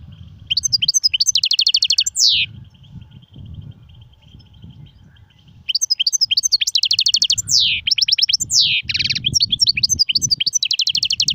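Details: Two bursts of goldfinch song in styles called sirfati, gzirati and tsersir, each a racing series of bright trilled twitters with drawn-out buzzy slurs, separated by several seconds of low rumbling background sound.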